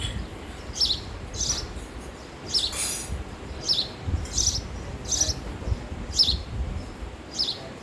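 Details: Repeated sharp chirps from a male house sparrow, spaced roughly every three-quarters of a second, with a broad burst of noise near the three-second mark and a low outdoor hum beneath.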